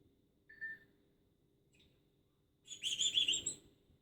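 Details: Plucked adopted female parrot at home: a short thin chirp, then after two seconds a loud, high, buzzy screech lasting nearly a second, over faint indoor hum.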